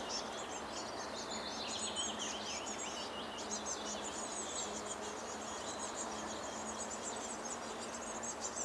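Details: Nestling birds begging at a nest as parents bring food, giving dense, thin, high-pitched chirps and squeaks in rapid overlapping series throughout, over a steady broadband background hiss.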